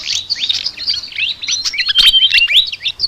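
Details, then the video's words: Flycatcher singing a rapid chatter of high, squeaky upslurred notes, with a held thin whistle near the end and a faint low hum underneath. "BURUNG SIKATAN NGOCEH TER UNIKK"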